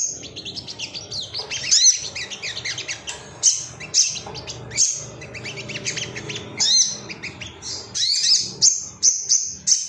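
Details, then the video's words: Male Ruby-cheeked sunbird in an emotional, rival-seeking state: rapid high twittering with sharp rising and falling notes, broken into short clusters and ending in repeated bright chips about every half second. "MASTERAN SOGON AGAR CEPAT NGALAS GACOR ❗BAHAN TERAPI SOGOK ONTONG"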